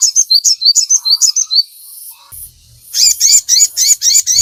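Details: Sogon for stirring captive birds to sing. A fast, regular sequence of high chirps is followed by a quieter gap, then a louder set of rich, ringing chirps with overtones.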